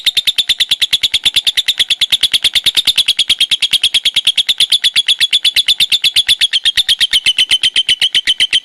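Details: Ngekek konslet from a lovebird: an extended, evenly pulsed high rattle of quick chirps, continuing without a break and sliding slightly lower in pitch toward the close.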